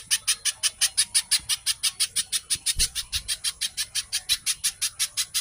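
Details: Lure song of a little spiderhunter, locally pijantung or cici codot, delivered 'speed rapat' for training caged songbirds: a rapid, even chain of piercing high chips with faint low thumps behind.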